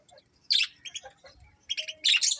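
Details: Budgies from a happy colony chirping: a few sharp, high, raspy notes, quieter chatter between them, then a loud closing burst of squawky chirps.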